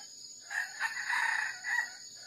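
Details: Wild junglefowl rooster, lured with a decoy during trapping, still crowing after being caught by the leg: a short, hoarse, broken crow of several syllables over a steady high insect drone.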